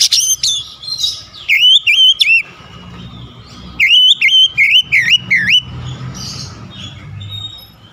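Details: Kacer, the oriental magpie-robin, delivering a piercing, clear song used to prompt idle birds to sing: quick rising and falling whistled notes in two rapid runs, each note looping, over a soft low rumble.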